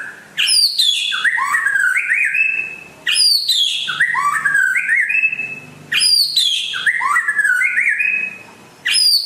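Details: Song of a rare white-rumped shama originating from West Aceh, Indonesia: loud phrases about every three seconds, each opening with a sharp high note, then tumbling downward whistles and rising slurred notes, separated by short pauses.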